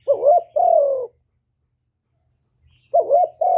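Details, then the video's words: Spotted dove cooing in the hạp bổi voice style, part of a full song of calling, urging and cooing: a short wavering note then a longer, slowly falling coo, followed by a silent gap and another pair, with no background noise. "Cu Gáy Giọng Hạp Bổi ĐỦ BÀI (GỌI +THÚC + GÙ)"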